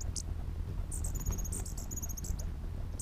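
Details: Territorial hummingbirds give a quick, high-pitched squeaky chatter, short chips strung together for about a second, above constant low background rumble.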